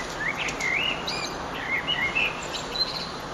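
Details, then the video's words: Blackbird song at sunset, 9 June 2011, eastern sky: a run of clear whistled, slurred notes, some swooping up and others dipping down, delivered in short bursts over faint, constant low rumble. "Blackbird's Song"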